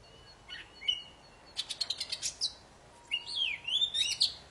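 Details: Poci bird song for prompting silent birds to sing: faint notes at first, then a burst of sharp clicks and a rising, wavering whistled phrase, over a light background hiss.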